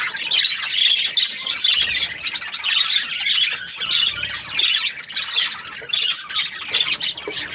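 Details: Budgerigars chirping, described as happy: dense, continuous scratchy warbling and chattering with squeaky notes, high-pitched and busy throughout, with brief dips in loudness.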